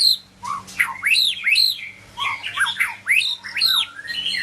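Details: Medan white-rumped shama singing loud, upward-sweeping whistles mixed with lower slurred notes, in phrases separated by short pauses, with a soft hum in the background.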